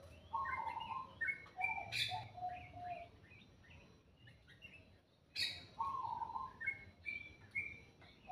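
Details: Bird singing in the morning, two bursts of varied whistled phrases with short high and low notes, separated by a quiet pause of about two seconds, low rumbling noise underneath.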